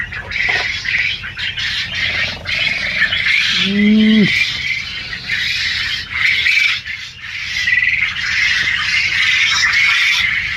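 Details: A large flock of farmed quail in Kalihati, Tangail, Bangladesh keeps up a steady din of shrill, chattering chirps. A single short human vocal sound breaks in near the middle.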